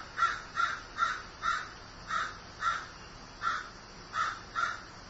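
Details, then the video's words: Crow said to be grieving gives a run of about eleven short, harsh caws, some in quick pairs, with brief gaps between groups. "Grieving Crow"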